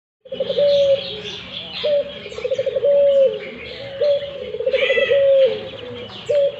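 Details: Barbary dove calling persistently: low rolling coos, each a quick bubbling run ending in a drawn-out level note, repeated about every two seconds. Busy chirping from other small birds sits high above.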